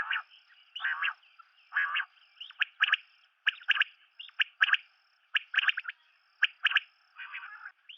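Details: Common quail (batair) calls: three coarse, rasping notes open, then a brisk series of crisp clicking notes in twos and threes, roughly once a second, with a thin steady whistle above.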